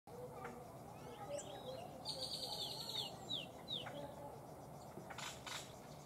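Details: A Black-crested Titmouse at Laguna Atascosa National Wildlife Refuge, Los Fresnos, Texas, on 2016-11-05 gives a harsh, buzzy burst of high notes, then a few thin, slurred whistles, over a steady wash of background noise.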